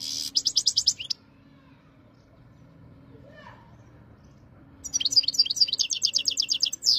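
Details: Khalwi-style song of a European goldfinch from Jijel, Algeria, 2023: a second of quick repeated bright chirps, then near silence for about four seconds, then a renewed burst of rapid rhythmic high twittering notes.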